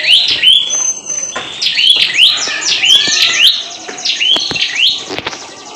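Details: Prinia bought at a market bird-seller's bunch, in full lively song: rapid series of sharp, rising-and-falling chirps repeated over and over, with background clapping and voices.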